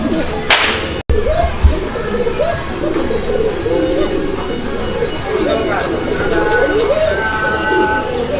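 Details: A pair of Koka pigeons with chicks: one gives a thin, sweet, flute-like call in short wavering phrases, the breed famed for not sounding like other pigeons; domestic pigeon.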